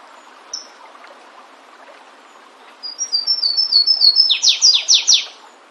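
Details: In nature, a Flavescent warbler (Myiothlypis flaveola) sings a short high note, pauses, then gives an accelerating series of fine high notes that breaks into four loud, steeply falling slurs. Faint low hiss throughout.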